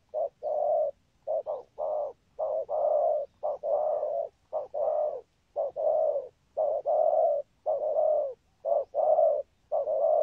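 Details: Spotted dove with a complete song pattern, good rước and thúc gù cooing, repeating deep hollow coos steadily. Each short coo is followed by a longer drawn-out one, giving a continuous rhythmic series with only brief gaps and no other sounds.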